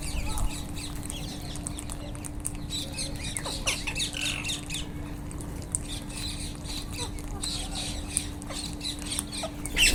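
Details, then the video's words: Wild Indian ringneck parrots squawking in a dense, continuous chorus of harsh, grating calls that overlap for the whole stretch, with a steady low hum underneath. "wild Indian Ringneck parrots// natural sound"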